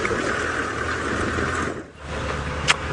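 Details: A vehicle engine idles steadily during a sunset safari drive; it dips briefly, then a single sharp click sounds near the end. No animal voice is heard.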